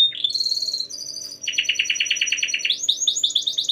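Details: Canary singing in the chatty 'gacor' style used to set other canaries singing: bright whistled notes give way to a rolling trill of quick descending notes, then a higher, faster trill.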